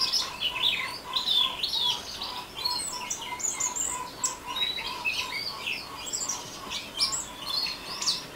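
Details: Orange-headed thrush singing in the ngeriwik style: rapid, dense high chirps and twittering slurs, almost continuous, over a steady row of soft mid-pitched pulses in the background.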